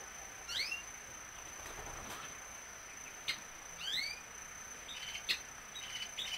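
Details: Violaceous euphonia song with two sets of doubled rising whistles about three seconds apart, then a few short buzzy notes near the end. A constant high-pitched whine and scattered clicks sit behind.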